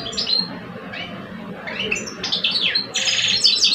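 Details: A singing face-off between two male European goldfinches, old and two years old: a few soft chirps at first, then a louder rush of bright twittering and buzzy trills toward the end.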